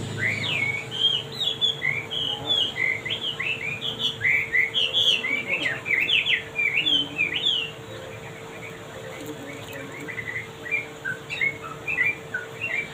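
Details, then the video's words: Male wambi singing lively and continuously: a fast stream of short, varied whistled notes, many rising slides, running for about eight seconds, then sparser scattered notes; a steady low hum underneath. "Suara merdu Wambi Jantan..gacor"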